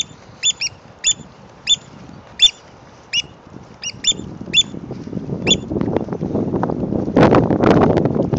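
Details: Several black oystercatchers scolding an observer at Heron's Head Park in San Francisco: crisp high piping notes, some doubled, repeated about twice a second, then fading as loud rumbling wind noise takes over.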